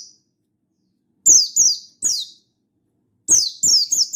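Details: Mountain white-eye, Buxtoni variety, calling to a rival in full wild-style voice: after a near-silent second, a run of three high descending chirps, a short gap, then three more tumbling close together.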